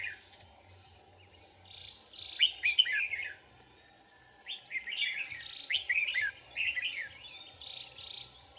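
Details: Red-whiskered bulbul decoy calling in wild birds during trapping on 4 March 2019. A loud warbled phrase comes early, then after a pause a series of chirpy, bouncing phrases follows, all over a steady high-pitched background hum.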